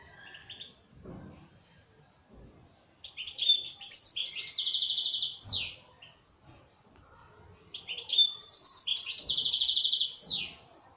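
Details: Kept local Algerian European goldfinch repeating two similar song phrases about five seconds apart, each a burst of high twitters and buzzy trills ending in a downward sweep, with quiet gaps between.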